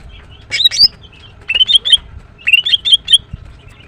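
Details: Female greater green leafbird, known locally as green cucak, chirping in gacor style: two bursts of sharp, bright whistled chirps, clustered notes slurring up and down, with quiet gaps and a faint low hum behind.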